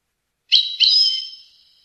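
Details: Tunisian goldfinch in Rasta Torka song style from Tunis. One short phrase: two quick buzzy chirps run into a bright whistle that holds steady and fades out. No other sounds.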